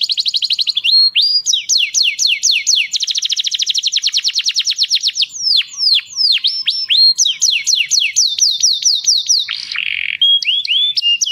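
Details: Canary singing a long, varied song meant for teaching young canaries and stimulating mating: rapid high rolling trills, runs of sweeping downslurred whistles, sharp chips and a short harsh buzz, all delivered continuously and loudly.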